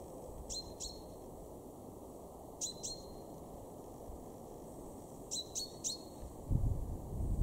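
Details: Garden chaffinch, a male, recorded in March 2023 at Weener in East Frisia, Germany, giving sharp metallic 'pink' calls in pairs, then a quick triplet, every two to three seconds. Low rumbling noise grows toward the end.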